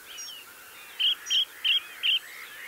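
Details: Mistle thrush perched on a gorse bush singing near a blue tit and a yellowhammer: four bright, evenly spaced short notes in quick succession, preceded by soft slurred fragments, with faint high calls from other birds.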